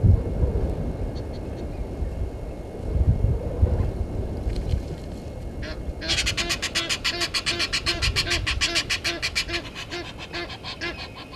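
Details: Egyptian geese at a South African game reserve waterhole disputing with intruder geese; after six seconds of low rumbling background noise, a fast run of loud harsh honks begins and continues, fading toward the end.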